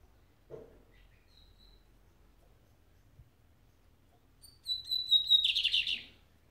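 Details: Lined seedeater billed as the fastest singer you will see today: after a quiet lead-in, a high whistled note with thin overtones slides straight into a dense buzzy trill near the end, closing the phrase sharply.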